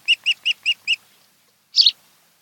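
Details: Nest camera on Kent Island, Maryland, July 2018 afternoon, at an osprey pair's nest: five evenly spaced, clear whistled chirps about a fifth of a second apart, followed after a pause by one harsh, rough squeal.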